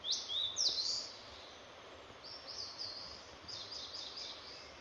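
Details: Songbird singing high, quick chirping phrases of sharp notes in the opening second, then fainter rapid twittering continuing over steady background noise.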